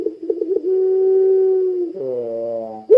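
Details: Puter pelung spotted dove in full gacor calling, used to get other doves calling: stuttered short notes open into a long level hum-like coo, followed by a lower buzzy coo.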